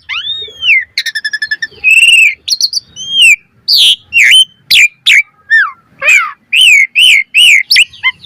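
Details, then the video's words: Asian pied starling delivering fast, varied song as a master recording for training: an arched whistle, a quick rattling series, loud flat whistles, then repeated bright swooping whistles and squeaks. "Pancingan Jalak Suren Gacor Mompa Full Variasi - Masteran Suara Burung Jalak Cepat Gacor Full Isian"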